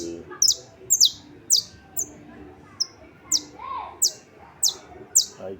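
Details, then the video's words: Singing saffron finch on 28 March 2026: very high, sharp descending notes repeated roughly every half second, some short flat whistles between, faint speech in the background. "Canário da terra cantando"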